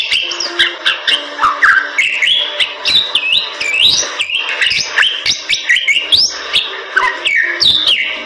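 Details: Bali myna, a starling found only in the forests of western Bali; long, lively song of clear whistled phrases, swooping up and down, mixed with harsh clicks and chatters, some steady low tones in the background.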